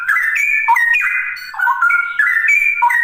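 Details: Straw-headed bulbul (cucak rowo) singing in the rapid 'ropel' style: loud, rich, flute-like whistled phrases gliding between low and mid pitches in continuous bubbling runs, with no other sounds.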